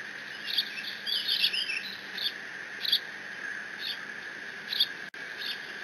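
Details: Bald eagle eaglet on the Decorah nest on 30 June 2017 squees and mantles its father's fish in case siblings return; an opening burst of chattering high notes, then single piercing squees about once a second, over camera hum.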